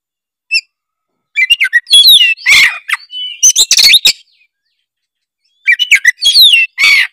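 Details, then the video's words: Oriental magpie-robin in full song, used to spur other magpie-robins into singing: loud bursts of varied chirps, sharp whistled notes and harsh rattling phrases in rapid clusters, separated by short pauses. "ampuh buat pancingan kacer langsung gacor denger suara kacer gacor satu ini"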